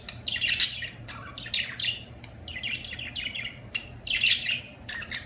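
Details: Budgerigar chirping in quick strings of bright, rasping notes and short whistles, with a loud burst near the start, over a soft hum.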